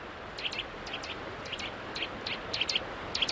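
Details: A Eurasian nuthatch calls from riverside woodland on the River Don at Oughtibridge near Sheffield in the morning, giving sharp, high, clipped notes, often in quick pairs, at an uneven pace over a soft steady hiss.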